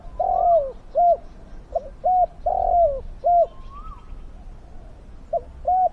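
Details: Big-voiced, fierce decoy spotted dove luring wild doves: a steady run of rounded coos with two long, descending croons, a brief higher whistle from another bird midway.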